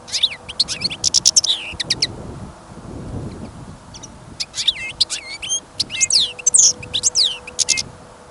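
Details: European goldfinch, a caged bird kept for listening, sings confidently outside in snowy, windy winter weather on a trapping outing. Quick tinkling chirps and twittered notes run in two dense bursts, separated by a gusty rumble of wind.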